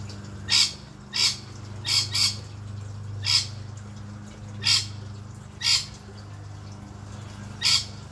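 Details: Rainbow lorikeet, a wild male resident of an Australian garden, investigating a fish tank closely for the first time: loud, raspy screeches repeated roughly every second, some in pairs, against a steady low hum.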